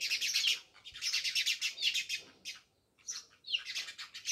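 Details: Dense, continuous chirping from many house sparrows near a village house at Jamnagar, overlapping notes forming long chattering runs broken by a brief pause.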